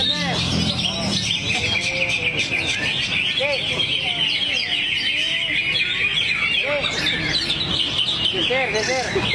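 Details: Kept greater green leafbird (cucak hijau) singing its material in a drowsy, swaying mood: a long, sustained rush of high chattering and twittering notes, with quiet voices and a low rumble behind.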